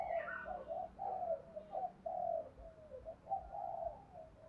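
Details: Spotted dove singing in the Thổ voice style, calling, urging and cooing to lure wild doves; faint, low mellow coos repeated in an uneven run of short phrases over a hissy, roomy background.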